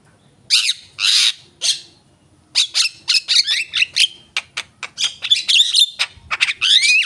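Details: Javan myna song beginning with two or three loud harsh screeches, then after a gap a rapid medley of creaky chatter, clicks and slurred whistles.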